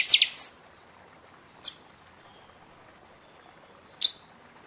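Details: Buffy-fronted seedeater song, played to spur other birds into singing after moult: a quick cluster of shrill, high notes opens, followed by two isolated sharp chips at intervals of roughly two seconds, in a quiet background.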